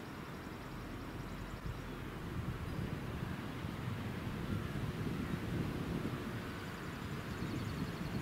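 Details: Steady wind buffeting the microphone with deep low rumble and no animal voices.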